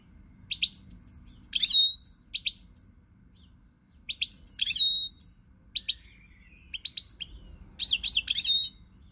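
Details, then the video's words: European goldfinch song recorded 20 March 2020: clustered bursts of bright twittering and buzzy trills, each group lasting about a second, separated by clear pauses, rising to a dense, fizzing phrase near the end. "Pirlitan Chardonneret, El jilguero, bird, cardellino pezzato GOLDFINCH SONG"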